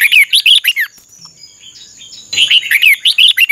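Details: Red-whiskered bulbul training song: a rapid run of chirpy, looping whistles, a short pause, then another fast warbled burst.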